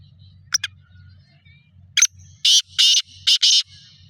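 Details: Black francolin in Sindh, Pakistan: two short sharp clicks, then a harsh, grating phrase of four loud rasping notes in quick succession, over a steady low hum.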